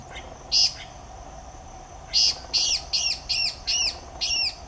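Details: Southern house wren (curruíra), known locally as corruíra or cambaxirra, giving seven loud arched chirps high-pitched, in two loose groups with pauses, quicker toward the end, over steady insect hum.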